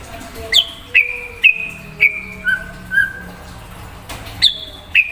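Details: Kept white-rumped shama singing to stir up a rival shama: sharp, ringing whistles, each falling from high to mid pitch, spaced roughly every half second, with some lower notes among them.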